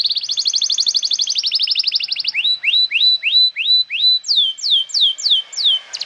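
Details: Canary song used as a prompt to tutor young canaries and to restart canaries that have stopped singing: a rapid buzzy trill of rising notes, then repeated upslurred whistles, then falling sweeping notes, each repeated about three times a second.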